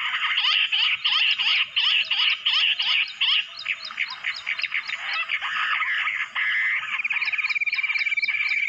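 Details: Jungle bush quail drawn in by mobile phone playback: rapid series of sharp, high chirping whistles from several overlapping callers, ending in a steady fast trill-like run of notes.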